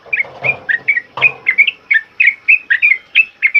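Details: Sooty-headed bulbul's loud ropel uplik song, used to train other birds: steady short whistled notes, each rising or dipping, about three per second, with two dull thumps early on.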